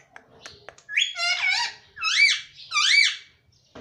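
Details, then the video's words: Pet baby rose-ringed parakeet speaking, said to say mummy: three loud, arched, bright harmonic phrases, each roughly half a second long, after soft clicks. "mummy bolne wala tota || parrot talking || baby parrot talking"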